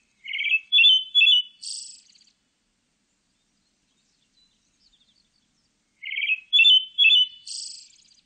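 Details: Pale thrush from a Korean national biological resources archive recording of 2020: two identical phrases about six seconds apart, each a few clear whistled notes followed by a high, thin, hissing note, with silence between.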